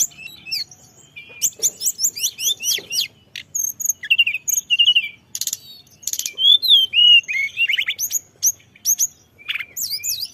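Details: Lure recording of a Sunda robin singing a filler-rich song: rapid clusters of sharp high chips, descending whistles and brief buzzy bursts, delivered in irregular phrases with short pauses.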